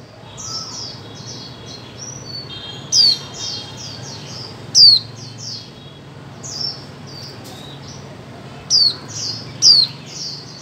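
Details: Female white-eye call aimed at stirring mute birds to sing: thin high chirps throughout with five louder descending whistles at irregular intervals of one to two seconds.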